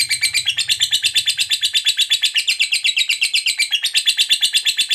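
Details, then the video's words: Fighter lovebird giving a long 'ngekek' trill, used as a lure to get other lovebirds singing. Rapid, harsh, high chattering notes pulse almost three times a second without a break through the whole stretch. "SUARA BURUNG LOVEBIRD NGEKEK PANJANG TERAMPUH BUAT PANCINGAN LOVEBIRD AGAR CEPAT NGEKEK GACOR"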